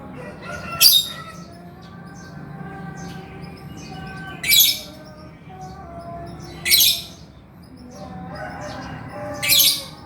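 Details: Male lovebird, chattering and recorded as a tutor for quiet birds. Four short, harsh, high squawks come about two to three seconds apart over a steady tonal hum.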